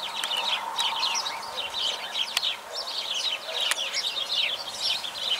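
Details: Sparrows chirping in a busy chorus of short, bright, overlapping chirps, with several birds calling at once and a few sharp clicks.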